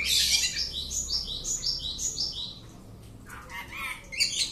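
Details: Oriental magpie-robin kept at home, tested for boldness, singing a rapid series of bright, high whistled notes repeated about three per second, then a pause and a few sharper varied phrases.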